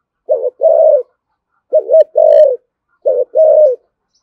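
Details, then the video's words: Thổ sấm style spotted dove in thúc gù and calling coos: three close low phrases, a short bouncing note then a level mellow coo, about every one and a half seconds, in a quiet setting. "cu gáy thổ sấm THÚC GÙ và gáy gọi chuẩn nhất hiện nay"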